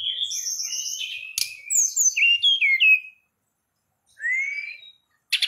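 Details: Forktail songbird singing strongly as if to a rival: rapid high trilled and slurred whistles in a rich run, a pause, then a single rising whistle and a short rattling burst at the end.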